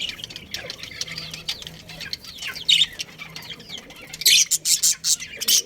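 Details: Colony of budgies including a breeding pair: busy high chirping and chatter from several birds, with wing flapping and a loud burst of squeaky calls near the end.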